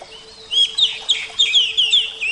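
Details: Oriental magpie-robin of the Javan type, a kept bird, singing a series of sweet whistled notes, each sliding downward, repeated quickly after a soft start.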